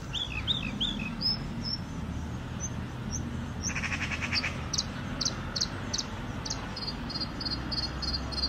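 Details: Red-spotted bluethroat singing a varied phrase: chattering trilled notes at the start, a rapid buzzy rattle near the middle, then a run of sharp repeated high clicks, over a steady low background rumble.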